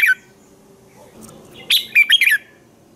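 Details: Red-whiskered bulbul singing in the morning, a recording meant for training other bulbuls: a clipped note at the start, then after a pause one bright phrase of several rapid, warbled whistles.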